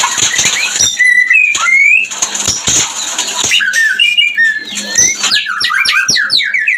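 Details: White-rumped shama mating call used to bring birds into breeding condition: harsh hissing and clicking notes mixed with rising whistles, ending in a rapid series of steep downslurred high notes.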